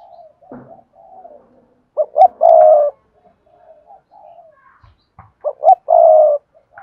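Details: Spotted dove singing in the Cườm Sa style, its voice called hạp bổi: quiet murmuring coos between two loud phrases of quick clipped notes ending in a long drawn-out hoot, with faint clicks.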